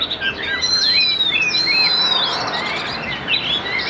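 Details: Chinese hwamei of the Tam Hoàng type, said to sing steadily with a fine voice, gives long clear whistles and quick slurred notes over a broad hiss of background noise.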